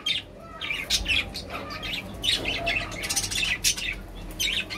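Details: Budgerigars kept as love birds, chattering in a quick stream of short, buzzy, high chirps and warbled notes that rise and fall, with brief louder bursts over a low background hum.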